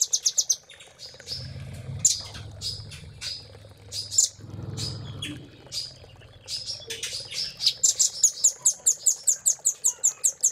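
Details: Velvet-fronted nuthatch training song, 'isian cililin' style: irregular high chips over a low rumbling background, ending in a quick, even series of shrill repeated notes.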